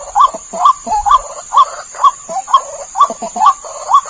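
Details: Lure recording of a white-breasted waterhen: nine harsh, upward-flicking notes in just over four seconds, evenly spaced, over a constant high-pitched hum and a brief low rumble at the start.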